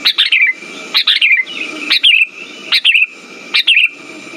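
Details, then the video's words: Sooty-headed bulbul lure song meant to get silent birds singing. Quick bubbly chirped phrases, each falling at the end, repeat roughly every 0.8 seconds over a faint steady whine. "Pancingan burung kutilang macet"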